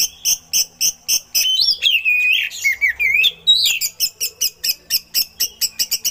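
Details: Oriental magpie-robin singing with eagle-call imitations, used for training other songbirds: fast repeated sharp chipping notes about four a second, broken by a sweeping, slurred whistled phrase, then the rapid chips resume.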